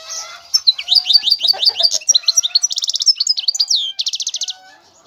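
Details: A European goldfinch delivers a flowing series of slurred, down-sweeping notes and two dense buzzy rattles, with faint lower whistles in the background.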